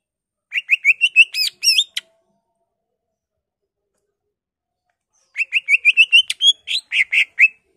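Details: Greater green leafbird in excited song full of mimicked phrases from magpie-robin, laughingthrush, cililin and canary. Rapid bursts of bright chirps and wavering whistles, two fast runs split by a silent gap.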